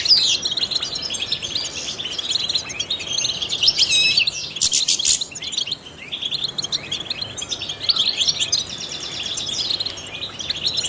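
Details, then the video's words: Singing trained European goldfinch, meant to stimulate songbirds: steady high twittering with a rattling trill near the middle, a brief softer lull, then renewed rapid chirps. "goldfinches chirp to stimulate songbirds"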